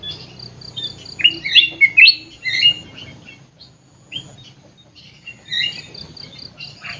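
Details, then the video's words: Aviary-kept sooty-headed bulbul singing a cluster of loud, liquid, warbled whistles in the first three seconds, then quieter scattered chirps. A thin high buzzing continues in the background. "kutilang emas gacor cor cor"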